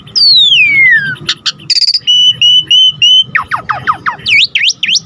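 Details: Asian pied starling singing a varied, phrase-filled song for tutoring other birds: a long falling whistle, a crackly burst, a string of level whistled notes, then rapid downslurred and V-shaped chirps.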